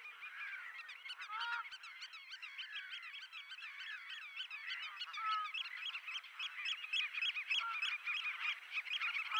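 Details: Black-tailed godwits mating at Poelgeest, the Netherlands, on 29 March 2024: a dense, continuous chatter of nasal, wavering calls with wobbling overtones, several birds overlapping, rapid repeats running throughout.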